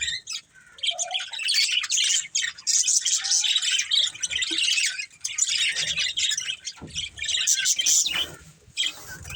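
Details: Budgerigar family birds chatter in a continuous bright twittering stream of quick chirps and squawks, briefly interrupted by softer moments.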